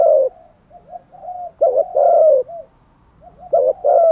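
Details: Spotted dove used as a decoy to lure wild birds gives loud deep coos, each a clipped note then a long falling one, with soft warbled coos in between.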